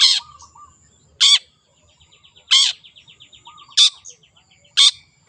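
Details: Wild long-tailed shrike singing energetically. Loud, harsh, downward-sweeping notes come roughly once a second, with soft twittering and a thin buzzy trill running between them.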